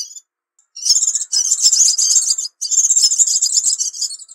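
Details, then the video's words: Crimson sunbird recorded as a lure sound for attracting birds: dense, very high, rapid chittering trills in long bursts with short breaks between them. A brief high note opens the clip before a pause. "Suara Pikat Burung Sepah Raja"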